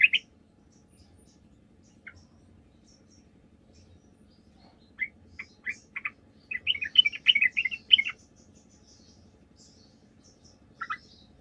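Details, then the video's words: Sooty-headed bulbul lure recording: sparse short chirps separated by silence give way to a brief flurry of fast, jumbled chattering notes, then one final chirp. "PANCINGAN TRUCUK GACOR, TRUCUK MANAPUN DIJAMIN LANGSUNG NYAUT"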